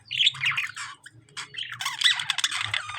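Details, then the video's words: Pet lovebirds in a fight with budgerigars give harsh, scratchy squawks in two loud bursts separated by a short pause, with mixed high chirps overlapping throughout. "Lovebirds fighting with budgies"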